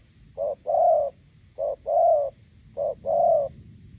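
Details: Decoy spotted dove meeting a wild bird beside a road in Gia Lai, Vietnam. Three steady coo pairs come roughly every second and a quarter, each a short soft note then a longer, fuller one, with faint high chirps.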